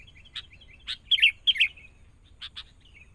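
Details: Young wild-caught sooty-headed bulbul in training. Sharp chips frame a pair of loud, slurred, warbling notes, and two more chips follow after a pause.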